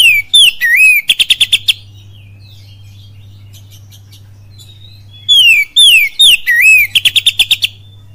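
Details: Magpie-robin giving full kapas tembak lure song: looping whistles and fast rattling runs of repeated notes, a pause with faint twitters, then the same loud whistled phrase and note burst once more.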